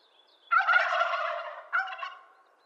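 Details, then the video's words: Wild turkey of eastern North America giving a rapid, rattling gobble of about one second, followed by a shorter second burst. "Wild Turkey Calling Sounds Video: Bird Songs Eastern North America-Wild Turkey Gobble Nature Sounds"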